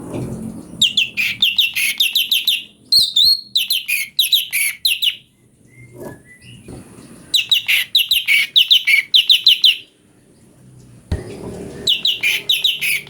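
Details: Song of the cucak cungkok, or Brown-breasted Bulbul, used as a master for magpie-robins. Rapid strings of clipped, high chirps come in three long bursts, separated by quiet pauses with faint soft sounds.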